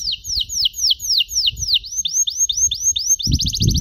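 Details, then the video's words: Canary song for training young birds: a steady series of descending whistled sweeps about four per second, then a quick rattling trill, over low background rumble. "KENARI GACOR DORR NEMBAK PANJANG, CENGKOK MEWAH COCOK BUAT KENARI MUDA BELAJAR BUNYI"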